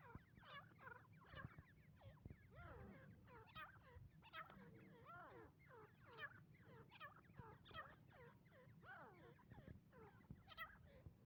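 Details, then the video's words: Calls of a female grey francolin, or teeter: hurried, overlapping chattering notes with quick upward and downward inflections, pouring out steadily for the whole stretch against a constant low background rumble. "Female teeter ki voice / dakhni teeter sound / teeter ki awaz"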